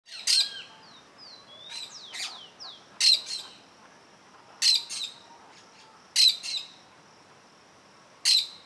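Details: Plain parakeet near its nest, watching an observer standing very close to it; harsh, shrill screeching notes come every one to three seconds, five in all, with thin, sliding, descending whistles from other birds in between.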